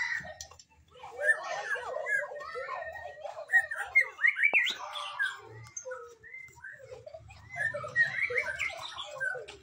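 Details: Magpie-robin in full song: a continuous varied stream of sweet whistles, trills and twittering notes, with a few pauses between phrase groups.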